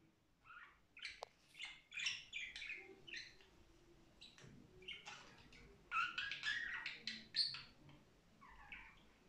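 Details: Softer budgerigar warbling with scattered clicks, chirps and squeaks in uneven bursts, quieter stretches between them, and a low murmuring note at the close.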